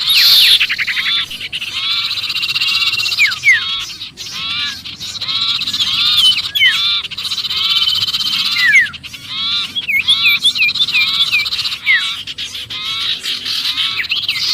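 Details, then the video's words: Sirpu giving a noisy distress call as if trapped, used as a lure for other birds: dense, fast chattering with sharp down-slurred whistles and buzzy notes, overlapping almost without pause. "suara pikat sirpu Ribut kejepit"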